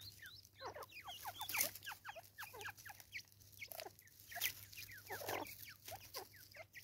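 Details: Natal spurfowl from South Africa, a raucous chorus of many quick, scratchy downslurred notes packed closely together and rising and falling in loudness throughout, with a low hum in the background.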